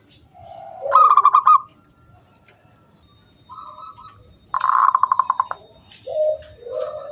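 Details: Zebra dove lure song meant to coax other doves into singing: two rapid runs of ringing clipped notes, with lower murmuring coos and faint background noise between.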